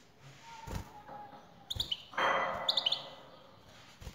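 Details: Male European goldfinch responding to a female's call. Two short clusters of high twittering notes are broken by a loud rushing thump, with several faint knocks nearby.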